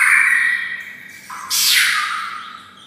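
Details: White-rumped shama raised near red-whiskered bulbuls, giving a bulbul-like whistled note followed by a loud, harsh, downward-sweeping burst.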